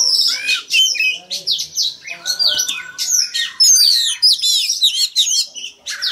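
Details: Male oriental magpie-robin, a caged bird, singing to prompt young birds to sing along: a dense, fast run of loud whistles, sweeping slurs and buzzy notes high in pitch, with brief pauses between phrases.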